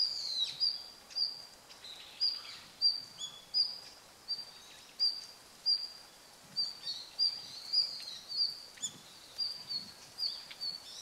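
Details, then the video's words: A red-flanked bluetail gives its winter ground call on 24 November 2012: short, high, sharp notes, some doubled, repeated irregularly every half second to second over a steady background hiss. "冬の ルリビタキ "Tarsiger cyanurus" の鳴き声"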